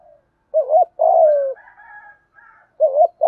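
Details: One spotted dove phrase from a training recording of male and female birds in thổ pha voice with gù thúc: a brief wobbling double note, then a long, level-to-falling coo, faint higher whistles after, and the next phrase beginning.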